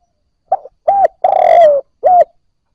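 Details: A newly caught spotted dove gives one cooing phrase against silence: a short lead-in note, a full coo, a long wavering coo dropping in pitch, and a final short coo.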